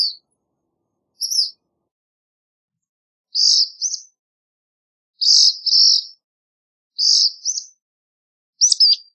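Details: Black phoebe alternating a couple of short chips with repeated two-part song phrases, buzzy then thin and upswept, roughly every two seconds, ending in a sharper descending note.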